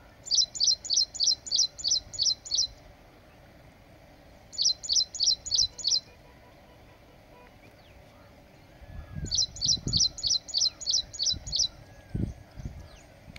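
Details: Indian silverbills (white-throated munias) cuddling together at Nanjarayan Tank, Tirupur, giving quick runs of high, thin chirps, about eight notes, then four, then eight; low rumbling background noise near the end.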